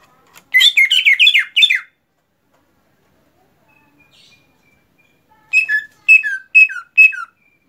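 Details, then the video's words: Greater green leafbird song after the moult: a dense run of rapid, sharp, bright slurred notes, a long silence, then five separate downslurred whistled notes spaced about half a second apart. "cucak ijo rajin berkicau setelah beres mabung"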